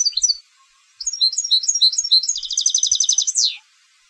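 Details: Goldfinch bred for song contests giving varied twittering notes that build into a dense, fast metallic trill and finish with a steep downward glide.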